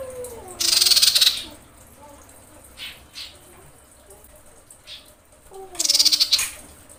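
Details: Calling to attract males, a female common iora in breeding condition gives two rasping, pulsed rattles about five seconds apart. Low descending whistled slurs from another bird accompany each burst.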